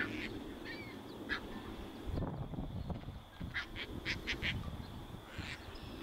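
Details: Caspian Terns on a northern USA beach in spring migration, one carrying a fish to a potential mate; several short raspy calls, some clustered rapidly near the end, against wind and low background rumble.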